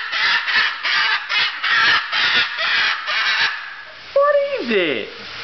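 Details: An excited but happy female umbrella cockatoo on a kitchen floor gives about eight harsh, raspy screeches in quick succession, then a drawn-out falling squawk, while a person's voice is heard faintly.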